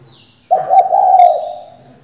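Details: Spotted dove hen serving as a decoy to make males coo, delivering a single low, rolling, slightly pulsed coo of about one second in quiet surroundings.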